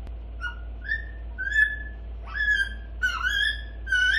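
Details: Young grey parrot about eight months old, indoors, babbling as it learns to talk: a series of clear whistled notes near the same pitch, some rising or bending, given about once a second, with a steady low hum behind.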